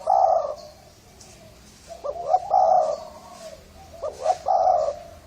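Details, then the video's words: Hoarse-voiced Thai spotted dove, a lure call for males and females: a long husky coo, then two phrases of quick rising hiccup notes each followed by a drawn-out hoarse coo, about two seconds apart. "Tiếng chim cu gáy thái giọng khàn gáy gù kích trống mái kích bổi"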